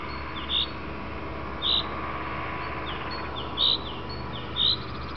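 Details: Afternoon calls of a common chaffinch, crisp short notes given four times at uneven intervals, softer descending chirps between them and a constant low background rumble.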